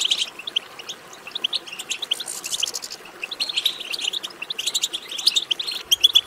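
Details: European goldfinch song intended to stimulate singing: scattered high chirps, then several dense bursts of fast, bright, tinkling twitters, ending with a loud ringing note.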